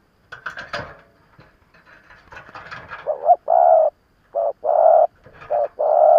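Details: Seasoned decoy spotted dove used to lure and provoke wild males. A burst of scratchy noise and faint chirps comes first, then repeated low, mellow coos in short-long pairs.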